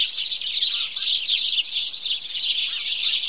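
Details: House sparrows in a morning chorus, many birds chirping at once in a busy, continuous chatter of sharp high notes, with a few lower chirps standing out briefly.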